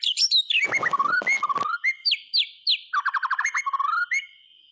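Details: White-rumped shama in full, varied song, used to stir silent shamas into singing: falling and rising whistles, two harsh rasps, clear upslurred notes, then a rapid trill of low whistles. A constant faint high tone is also heard.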